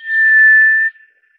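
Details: A single drawn-out, pure, level whistle from a White's thrush, lasting nearly a second and fading cleanly.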